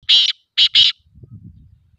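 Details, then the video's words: Black pheasant giving three harsh, rasping bursts: a long one, then a quick pair after a short pause, with faint low rumbling afterward. "Black pheasant call"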